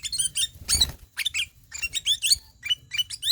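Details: Sooty-headed bulbul, kutilang emas, singing in the ngelowo style: bursts of chirpy, slurred notes with rising and falling inflections, delivered in quick clustered phrases with short gaps, plus one brief rustling noise burst near the start.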